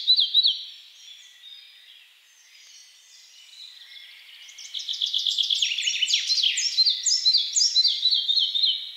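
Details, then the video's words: A Red-breasted flycatcher (Ficedula parva) sings: a few high notes, a pause, then a bright, ringing series of repeated notes that drops slightly in pitch as it runs on. "Red-breasted flycatcher"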